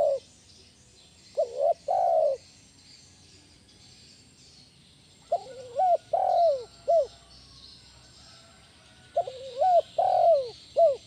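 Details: Spotted dove calling in a loud lure style meant to train other doves: three cooing phrases spaced about four seconds apart, the later two ending with an extra short clipped note after the long coo, over light background hiss.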